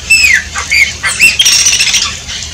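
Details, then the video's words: Shiny cowbird song: a few loud, high whistles sliding downward, mixed with buzzy, rasping bursts, all packed into a couple of seconds. "CANTO DO CHUPIM"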